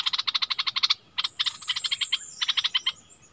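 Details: A decoy Streak-eared bulbul, recorded 16 February 2021, delivers three bursts of fast, evenly spaced chattering notes, each run lasting about a second, over a thin, high sustained tone and light background hiss.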